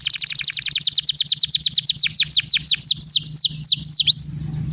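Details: Canary song used to get other canaries singing: a long accelerating series of high, falling whistled notes that slow toward the end, finishing with a thin held tone over faint low hum.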